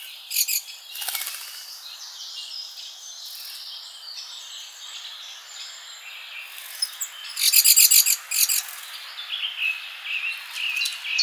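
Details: Mixed birds around a summer garden feeder: soft overlapping twitters and warbles, punctuated by bursts of fast, dry clicking chatter, with a low background hiss.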